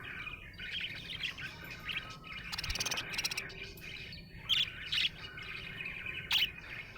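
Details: Happy budgie chirping: a rambling warble is broken by a brief rattling mechanical noise midway, then a few sharp, piercing squeaks stand out above the chatter.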